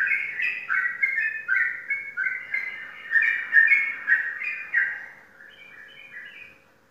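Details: Indonesian competition Sooty-headed bulbul, kept caged and a repeat contest winner, sings rippling chirpy phrases in quick succession for about five seconds, then softer scattered notes trail off.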